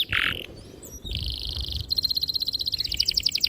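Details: Canary singing as a lure for young birds learning to sing: a short harsh burst, then a steady buzzy roll and a quick run of bright, repeated chirps.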